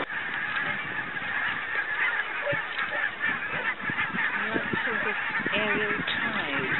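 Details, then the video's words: Barnacle geese filmed on a wildlife tour of Arran and Islay in 2009: a steady wash of overlapping nasal honks and yelps from many birds at once, with short barking notes standing out through a dense background din. "Choughs & Barnacle Geese"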